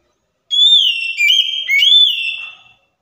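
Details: Single clear whistled phrase from an Oriental magpie-robin (kacer), used as a lure to prompt a silent bird to respond: about two seconds of smooth sliding notes with sharp downward dips.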